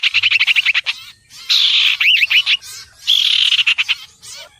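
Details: Common iora singing: quick rapid series of sharp chipping notes, then bursts of buzzy warbled phrases with a clear looping whistle, then another burst of sharp notes, all in a high register with little background noise.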